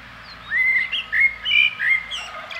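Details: Mellow, whistled blackbird song with a series of rounded, gliding notes in an unhurried run, trailing off into fainter high twitters over a light low rumble.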